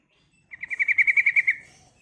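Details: Female yellow-vented bulbul calling a male: one rapid chattering burst of about ten evenly spaced, harsh notes, lasting roughly a second and fading at the end, in an otherwise quiet setting.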